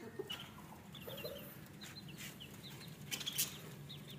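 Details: Caged budgerigars, heard while their cage is being cleaned, give a run of short, soft, rising-falling chirps in quick succession, with light clinks and rustling and a low steady hum behind.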